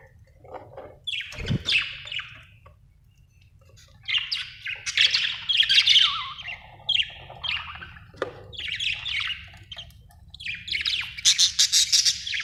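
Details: Budgerigar chirping in bursts of scratchy, warbling chatter and short squawky notes, separated by brief pauses, with a low steady hum beneath and a soft thump near the start.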